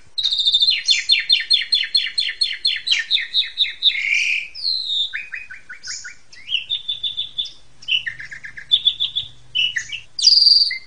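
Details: Asian pied starling performing a master song to train juveniles: a fast repeated stuttering phrase, then a long varied sequence of whistles, chatters and buzzy notes, ending in a loud high squeal.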